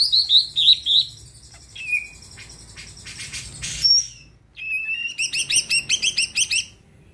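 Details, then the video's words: Greater green leafbird song aimed at making other birds sing: quick warbled phrases, a falling whistle, mixed chatter and pure tones, ending in a rapid regular series of bright repeated notes. "Cucak ijo gacor di jamin bikin yang lain ikut rajin bunyi dan emosi"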